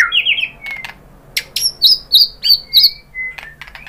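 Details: Lure song of a white-rumped shama, a female calling a male: brief warble, then a rapid series of high chipping notes repeated about five times, followed by thin whistles.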